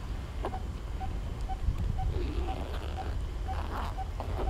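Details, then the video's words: Coppersmith barbet at Punggol Seventeenth Avenue, Singapore, calling: a steady run of short, hollow tonk notes, about two per second, all at one pitch, over constant low traffic rumble. "Calling of the Coppersmith Barbet"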